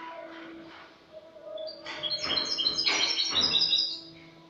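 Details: Spanish goldfinch, a year-old bird from last season, singing 'cante limpio' clean song on 22 August 2018: quiet opening notes build into a loud, dense run of tinkling, buzzy twitters and high trills that then tails off.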